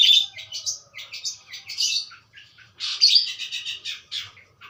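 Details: Budgerigar warble: bursts of harsh, buzzy chirps and squeaks in uneven phrases, with short quiet gaps between them.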